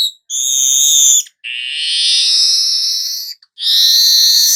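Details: Continuous high weaver song, 'gacor nyerut' style: three long, sizzling buzzy notes, the middle one swelling and lasting about two seconds, divided by short breaks.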